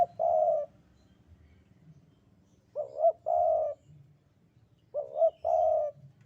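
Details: Spotted dove of Javanese type delivering its sandungan kuk-kuk coo: a stuttered double note followed by a drawn-out throaty coo, repeated every two to three seconds, with faint low background rumble.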